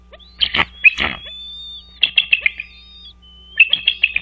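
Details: American bald eagles at their nest on Dale Hollow Lake, a reservoir on the Kentucky-Tennessee state line, recorded by a nest camera at 05:51 on 4 March 2023; loud bursts of rapid, high, chattering staccato notes, two bursts separated by a pause.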